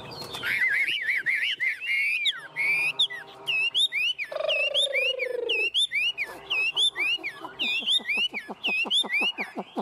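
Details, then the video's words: Tame Chinese hwamei singing 'ôm cóng' on a hand: fast warbled whistles, a drawn-out lower note, then repeated hooked whistles and a quickening series of short sharp clicks-like strokes. "Họa mi ôm cóng cực sung trên tay"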